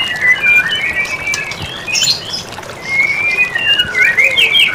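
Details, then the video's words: White-rumped shama in a tutor recording for training songbirds, giving clear whistled phrases that slur and wobble in pitch, with short pauses between phrases, over a faint hiss of background noise. "Masteran murai batu"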